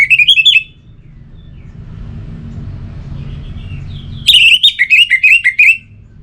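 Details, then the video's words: Orange-headed thrush: a short burst of repeated notes, a quiet pause with low hum, then a loud phrase of about eight wavering whistled notes gently falling in pitch. "98% Obat Gacor Burung ANIS MERAH Buat Burung Yang Lagi Malas Bunyi"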